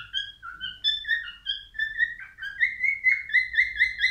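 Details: Male albino cockatiel in song, a continuous string of clear whistled notes, each a short steady or gently sliding tone with strong overtones, delivered in quick succession about twice a second and rising slightly in pitch toward the end.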